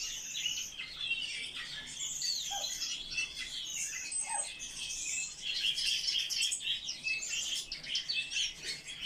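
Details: Eurasian blackcap pouring out a long, rich warble of rapid chirps, trills and whistled flourishes, the phrases running almost without pause against a background of further bird twittering.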